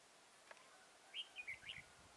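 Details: Single lively warbled phrase of a red-whiskered bulbul during trapping at Chùa Hương, Mỹ Đức, 11 November 2017: several fast bouncing whistled notes, heard after a brief quiet stretch with soft background noise.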